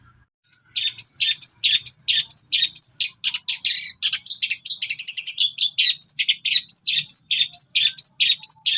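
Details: Persistent long-tailed shrike song rich in cililin and sparrow mimicry: rapid, scratchy two-part chirps repeated more than twice per second without a break for eight seconds over a faint low hum.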